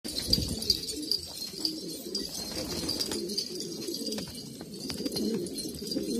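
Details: Old, purebred pigeons kept in Kabul, Afghanistan, cooing in low, throaty, rolling notes that overlap continuously, with faint clicks and background rustling.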